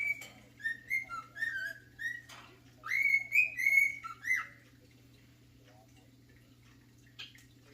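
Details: A male cockatiel sings his favourite song, The Sounds of Silence, as a string of pure whistled notes with upward slides for about four seconds, then near quiet with one faint chirp, a constant low hum underneath.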